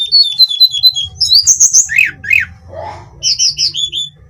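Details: Hill blue flycatcher (tledekan gunung) daily song: a run of short, high, downslurred whistled notes, then rapid trills and buzzy, rising phrases, with a faint low rumble beneath.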